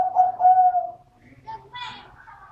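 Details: Dove with a voice described as medium-pitched: one long, steady, tonal coo held for about a second, followed by fainter mixed bird and background sounds.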